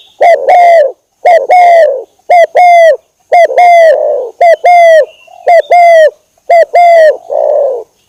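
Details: Spotted dove lure call used for attracting birds, recorded over a long duration: loud, close, hollow cooing phrases, each a short note and a longer rolling coo, repeated roughly once a second without pause.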